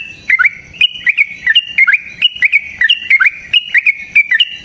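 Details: Yellow-vented bulbul delivering a long rapid fighting-style song meant to provoke a bird into singing: bright whistled phrases with a quick downward-then-upward flick, spaced in steady bursts of two or three notes.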